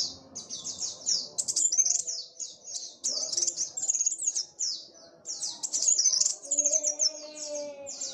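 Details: Sunbird called kolibri wulung singing energetically as it dances around: high scratchy twitter of quick downslurred notes in packed phrases with short gaps, plus a faint low hum and tones in the background.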